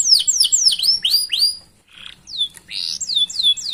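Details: Canary song used to prompt other canaries to sing: a series of sharp downward-sweeping whistles, a brief pause with a soft buzzy note, then more falling and rising whistled slurs.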